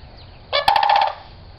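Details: Sandhill crane squawking: a single short, harsh, rolling call with a rattling, pulsed texture lasting about half a second, against quiet background hiss.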